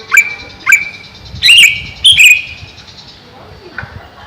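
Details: Caged greater green leafbird above a pond: two upswept whistles, then two louder rich chirped phrases and a fainter closing note, with a constant high insect-like hum.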